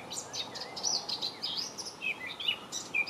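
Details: Springtime blackcap, May 2018, pours out quick chattering and whistled notes with sharp high clicks, continuous through the whole short stretch above steady background noise.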